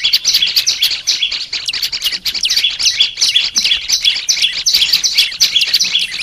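Olive-backed tailorbird song: a loud, dense stream of high, sharp chirps and trills, about three notes a second, with no pause and no other sounds.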